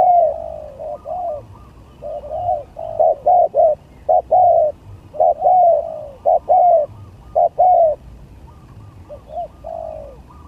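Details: Spotted dove contest song: a long series of mellow, low coo phrases, choppy stuttered notes alternating with longer hollow coos, fading quieter toward the end.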